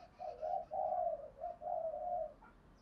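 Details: Distant spotted dove cooing, as playback to get a caged dove calling: several low, soft coos in two phrases over a steady background hiss, with faint higher chirps behind.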